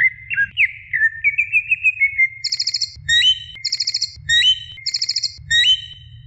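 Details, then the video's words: Female greater green leafbird calling for the male, opening with slurred whistles, then alternating high buzzy chatters with rising whistled notes about once a second. "Suara Cucak Ijo Betina Memanggil Jantan"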